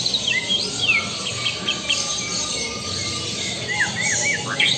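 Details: White-rumped shama of the Lampung type singing: scattered clear whistled notes and quick rising and falling slurs high in pitch, with a loose burst of short slurred phrases near the end over steady low background hiss.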